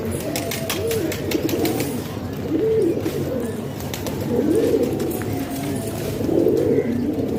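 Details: Domestic pigeons kept in a house in Pakistan give low, rolling coos, each swelling and falling, repeated about every two seconds over a steady background hum.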